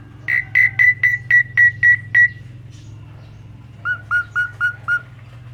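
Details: Asian pied starling singing gacor with full isian: about eight evenly repeated whistled notes, a pause, then five lower repeated notes, over a faint low hum.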